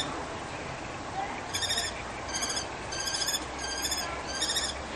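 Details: Common kestrel pair defending their balcony nest in Brno-Bohunice against another couple; the female gives sharp, shrill chattering bursts in quick repeated groups after a quiet second, with constant low background roar.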